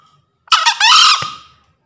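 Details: Green junglefowl rooster in full breeding condition crowing, a master call for newly caught or quiet birds and for luring in forest: a harsh two-part crow, a short rasping note then a long, strained, level scream fading out.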